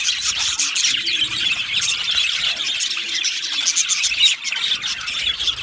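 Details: Aviary full of budgies giving dense high chirps, squeaky squeals and warbled chatter, the many voices overlapping, with a short lull just after the four-second mark.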